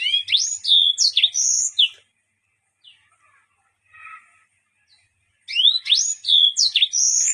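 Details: Yellow-fronted canary singing a song laced with odd sounds: two loud bursts of high, fast warbled whistles and trills, separated by a pause holding a few faint chips.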